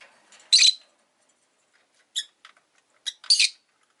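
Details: Caged rosy-faced lovebirds, five birds kept beside a window in the afternoon: a loud raspy chirp, then short clipped high notes, ending in a harsh doubled chirp.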